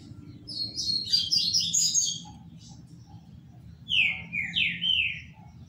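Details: Caged trinca-ferro, or Green-winged Saltator, called 'Paraná', delivering a high jumbled warble of bright whistled notes, then after a gap a clear phrase of three or four downslurred, looping whistles; soft low background rumble.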